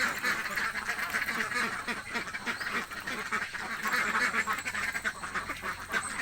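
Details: Hungry ducks in a village clamour with quick, raspy overlapping quacks, roughly three or four per second, continuous from start to end.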